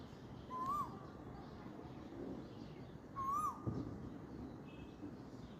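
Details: At dawn in spring, an Asian koel gives two fainter whistled notes that lift then fall, about 2.7 seconds apart, against a steady hiss of background noise.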